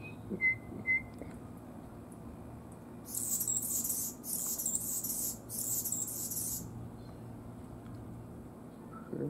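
An Anna's Hummingbird sings four quick bursts of very high, scratchy, buzzing notes. A couple of clear whistled notes come first, over a low background hum.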